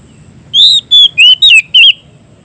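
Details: Loud, ringing song of an Oriental magpie-robin challenging a rival: five piercing whistled phrases, each looping up and down in pitch, spaced about a quarter second apart, with a low hum underneath.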